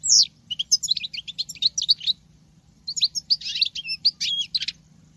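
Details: Female European goldfinch with male-like song: two bursts of quick, high twittering and buzzy notes, each about two seconds, separated by a short pause, over a faint hum.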